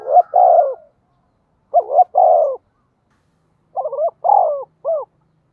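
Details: Lure calls of a spotted dove, deep 'giọng thổ' style, for drawing in wild birds: three cooing phrases about two seconds apart, pairs of quick hoots into a falling coo, the last phrase trailing into an extra short hoot.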